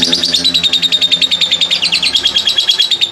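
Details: Lovebird ngekek, a clear long chatter for prompting other lovebirds: loud, even, sharp chips about three per second with a thin continuous whistled tone and faint low background hum.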